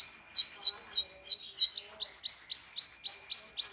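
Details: Canary training song for young birds: a series of about a dozen loud down-slurred whistled notes, repeated at roughly three per second, the later ones arching up then down.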